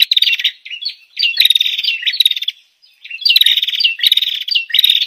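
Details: Forest bird-luring sound of an olive-backed tailorbird: bursts of fast, buzzy, high-pitched chatter in two main runs separated by a short silence, each run made of quick repeated sharp notes.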